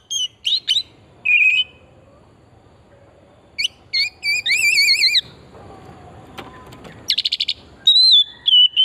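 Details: Oriental magpie-robin lure song, 'pesona hutan murni' style: clear whistles and buzzy notes, a run of wavering whistled phrases, then a soft, noisy gap before a rapid harsh trill and long level whistles.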